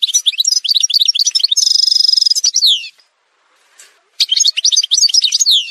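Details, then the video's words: Algerian goldfinch song, edited montage: rapid liquid twittering, then a fast buzzy trill of evenly repeated notes, descending slurred notes, a pause, and renewed bright twitter. "chant chardonneret montage"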